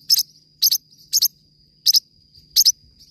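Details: Forpus parrotlet song made of quick paired high chirps, five bursts in three seconds, over a constant faint high-pitched hum.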